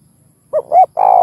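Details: Brief spotted dove cooing, played to encourage other doves to call: two short notes followed by the start of a long coo, over a faint low rumble.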